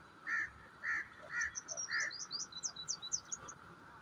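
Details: Grey francolin (teetar) calling: four loud, hoarse mid-pitched notes spaced about 0.6 seconds apart. A different small bird follows with rapid, high, thin chirps over a steady low background hum.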